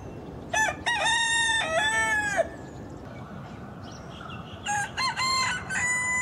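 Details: Southwest Asian rooster crowing: a full crow of clipped opening syllables runs into a long held note that ends abruptly. After a pause, fainter crowing notes return, with a person exclaiming just after.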